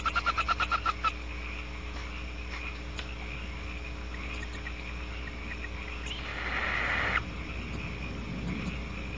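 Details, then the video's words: Barn owl outside the nest cavity at Audubon Starr Ranch: a quick run of dry, rapid ticking twitters in the first second, then a harsh, raspy hissing screech lasting about a second near the end, over a steady low electrical hum. "Twitterin' 'n raspin' 'n a screech or two outside the cavity"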